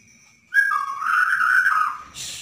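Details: Bornean white-rumped shama song meant to prompt a silent bird into singing: one loud sustained whistled phrase that dips and holds, ending in a brief hiss.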